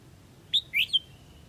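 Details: Calling to the flock, a Huế red-whiskered bulbul gives a short burst of three clear chirps, the middle one a slurred rising whistle, against a quiet low hum.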